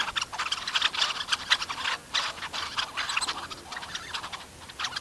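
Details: A Red-necked phalarope on Sorbulak lake, Almaty region, Kazakhstan, gives rapid, sharp, high ticking notes, several per second in a nearly continuous stream, with brief pauses.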